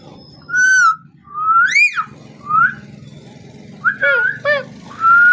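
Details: A parrot makes sliding whistles that rise and fall, with a few double arched calls near the end and a long rising whistle to finish, over faint low indoor hum.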